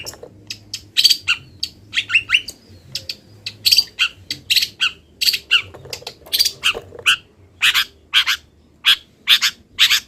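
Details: Long-tailed shrike, a bird still moulting, singing a busy song full of wild-bird imitations: harsh, buzzy bursts mostly high-pitched, delivered in quick irregular clusters for ten seconds with hardly a pause, over a faint low hum.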